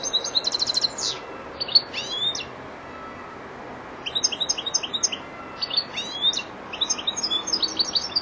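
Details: European goldfinch, four months old, beginning to complete song phrases: several bursts of quick, varied twittering with slurred and trilled high notes, interrupted by a brief silence, low background hiss.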